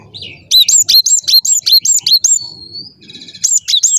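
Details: Gelatik batu singing nonstop gacor style, a dense train of bright, high, clipped whistles repeated about twice a second, broken by a thin drawn-out tone before the rapid notes return.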